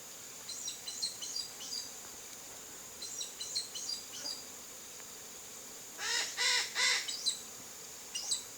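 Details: A Chestnut-eared aracari visiting a rural backyard in Brazil's Cerrado biome gives three loud, harsh, squeaky notes in quick succession after softer high twittering, with a steady high insect whine throughout.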